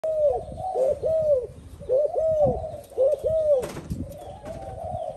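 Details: Spotted dove, a newly caught bird that has only just begun cooing alongside an older decoy bird; low arched coos in paired phrases, roughly one a second, with gaps between bursts and a faint background hiss.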